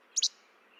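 A Least Flycatcher gives its snappy two-part che-bek, two sharp high notes in quick succession, over faint background hiss.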